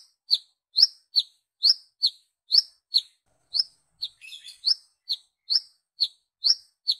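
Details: Brown-throated sunbird calling to summon other sunbirds, used as a lure: steady series of high, sharp two-note chirps, rising then dropping, with a brief jumbled twittering burst midway through.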